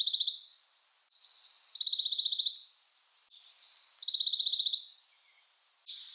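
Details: Western Bonelli's warbler giving a dry, rapid, high trill lasting under a second, repeated about every two seconds with brief quieter notes between.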